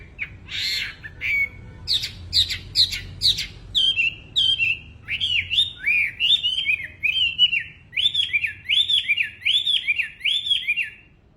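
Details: Wambi bird singing energetically: an opening of harsh, scratchy chirps gives way to a long rhythmic series of bouncing whistled phrases, repeated roughly twice a second with even spacing.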